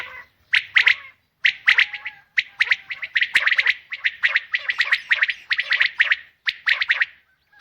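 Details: Harsh, scratchy chirps from a female common quail come in quick clusters, almost without a break, making a busy, rhythmic chatter throughout.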